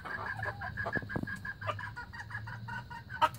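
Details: Young red junglefowl recorded in 2019, giving a run of harmonic, slightly hoarse notes with a strong tone near the middle. Brief clicks and a steady low hum sit underneath.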